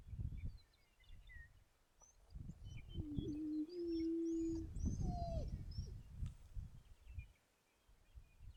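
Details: Displaying male greater prairie-chicken trying to attract a female with his dance gives a low, even, hollow hum of about one and a half seconds, then a short downward-sliding note. Wind buffeting, with thin chirps of other birds above.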